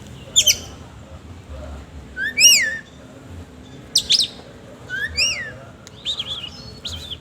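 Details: Oriental magpie-robin, a vigorous singing bird with a harsh-note song style, giving separated loud whistled phrases with sharp rising and falling sweeps at intervals of about a second, over a low steady background hum.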